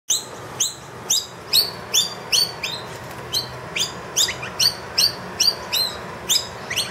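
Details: Wild noisy miner that brought two young into a room, calling loudly for food after the feeder ran empty, unusually vocal; sharp high chirps repeated about twice a second, upswept notes with hum in the background.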